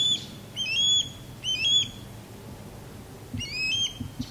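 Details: Courting osprey pair, male performing a sky dance low over a backyard and the female calling from a longleaf pine; three quick ringing whistled notes, a pause, then another, with soft low rumble beneath.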